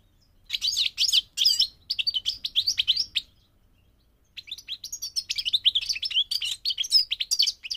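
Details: Migrating goldfinch sings a bubbling medley of high chirps and trills, a silent gap near the middle, then a longer, lively twittering phrase.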